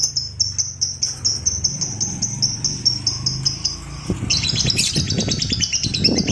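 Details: Lovebird used to provoke and train other lovebirds into a long ngekek trill: a row of short high ticking notes for about four seconds, then a dense, buzzy, rattling trill runs on to the end.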